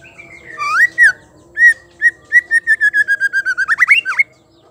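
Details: Female white-rumped shama call meant to provoke males into singing: a few slurred whistles, then a quickening run of about a dozen short, clipped notes that climbs and ends in sharp upward flicks.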